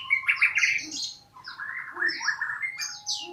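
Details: Magpie-robin song in short bursts of bright whistled and chattering notes, jumping between high and mid pitches, with a faint steady hum underneath.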